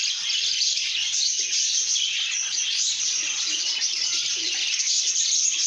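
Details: Many lovebirds chattering in a good mood, an unbroken mass of high, squeaky chirps and whistles layered over one another, with faint lower notes beneath.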